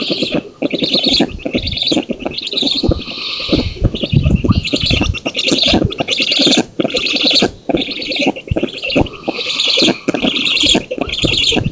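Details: Black storks on their oak nest in Poland, 19 June 2017, at feeding time with the female chasing away an intruder; a long run of rough rasping pulses comes in surges, with deeper thuds and rumbling beneath.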